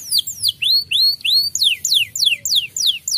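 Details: White canary song, said to stir up other canaries: quick repeated whistles, first a few rising sweeps, then a series of sharply falling slides repeated evenly, about three each second.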